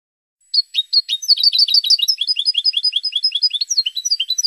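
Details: Training song of a European goldfinch, used to tutor cage birds: rapid, high, twittering phrases of tinkling and buzzy notes, with a brief quiet gap before a steady run of repeated chirps.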